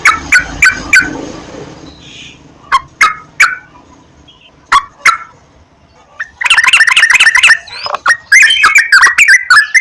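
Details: Sooty-headed bulbul sound meant as a lure to stimulate singing. Sparse, spaced single notes give way to a loud, dense stretch of rapid, scratchy chatter and bubbly phrases.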